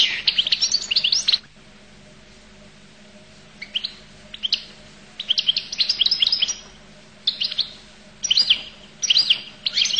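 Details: Goldfinch delivering high, rapid twittering phrases. A loud opening burst gives way to softer notes, then the dense tinkling chatter returns in quick runs. Faint low hum in the background.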